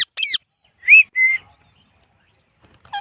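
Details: Indian ringneck parrot making a high chirp, then a short rising-and-falling whistle and a flat whistled tone, ending with a brief squeaky call after a quiet pause.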